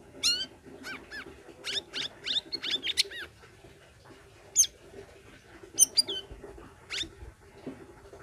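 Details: Sooty-headed bulbul singing as a prompt to get silent cage birds to sing again: a busy run of clear, sharply falling chirps and short whistled notes, some in quick clusters, with a low background hum.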